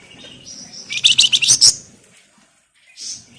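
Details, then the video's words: Lure recording of a flamboyan in full song, ngebren rapat style: a rapid run of about eight harsh, high chattering notes lasting under a second, then a single softer high note after a pause. "Burung Flamboyan Gacor Ngebren Rapat Nyerecet Nyiul Cocok buat Pancingan"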